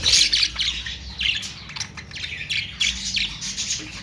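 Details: Budgerigars, named as Australian parrots, giving rapid, scratchy chirps and squawks in quick uneven succession, several birds calling at once.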